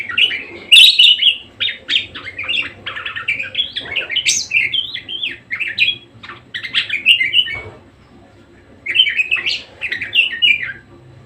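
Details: Budgerigar (Melopsittacus undulatus), also called parakeet, singing vigorously and persistently: a long run of chattering, squeaky warbled notes that rise and fall, with a brief pause before a final burst of chatter.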